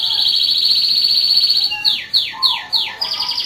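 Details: Canary of national champion standard delivering a long, high, rapid rolling trill, then a series of descending swept notes repeated roughly every third of a second, ending on another bright trill.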